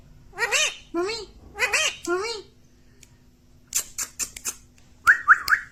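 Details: Pet parrot saying "mummy" and "mitthu" in three quick, swooping, voice-like syllables, then a pause, scattered clicks and three bright chirps at the end.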